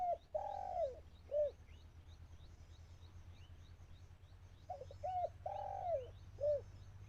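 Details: Trapping decoy dove in Thailand cooing to attract wild birds, delivering two full phrases: quick paired coos, a long wavering coo, then a short end note. Small birds twitter faintly at high pitch behind a constant low rumble.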